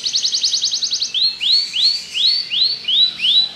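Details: Singing Belgian canary delivers a rapid, evenly pulsed trill, then switches to slower slurred notes that rise and fall, about two per second.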